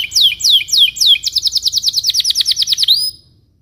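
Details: Belgian canary's morning cuit-cuit rolling song, played as a lure for young canaries learning to sing: four loud downslurred whistles, then a fast, even, high trill of about twenty notes that stops abruptly.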